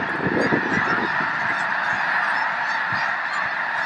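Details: Wintering snow geese, over a million strong, at Loess Bluffs National Wildlife Refuge, 21 February 2020. Dense honking chorus without pause, low gusty rumbles during the first second.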